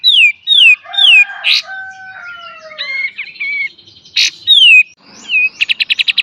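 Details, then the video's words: Kapas tembak master song for training cage birds, beset and tembak style: three falling whistles, a buzzy blast, long low level whistles, then more harsh bursts and a final rapid stutter of notes. "KAPAS TEMBAK FULL BESET DAN TEMBAK | MASTER GURU BURUNG KICAU"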